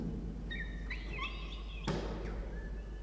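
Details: Peregrine falcon nest box, Orange, New South Wales, Australia, morning feeding on 1 November 2021: a thin wavering whine lasting about a second, then a sharp knock and a faint falling note.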